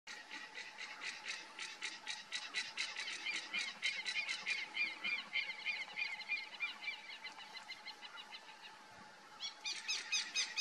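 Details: Crane hawk perched at its lookout point gives a fast run of nasal, honking notes, with a steady insect drone behind.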